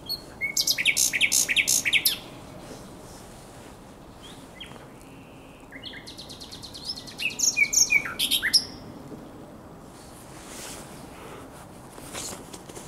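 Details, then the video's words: Night song of a common nightingale by the Żerań Canal, 23–24 April 2022: two bursts of fast, loud, repeated clicking notes with scattered whistles, separated by several seconds of near silence, and faint later notes. "Śpiew słowika rdzawego na Kanale Żerańskim"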